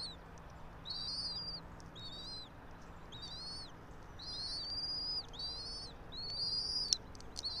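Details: Bald eagle of a nesting pair in a pine about 90 feet up, Johnson City, Tennessee, 04.03.2024 early morning; a rapid chittering series of high arched whistled notes in quick clusters, several per second, over a soft low hum.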